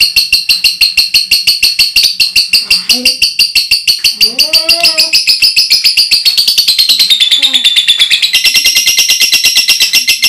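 A lovebird pours out a long, loud, high-pitched chattering trill of rapid, sharp chirps.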